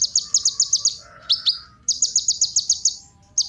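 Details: Kolibri ninja sunbird singing to prompt other birds: fast, high, ticking trills, interrupted by two sharp down-slurred notes over a faint lower hum.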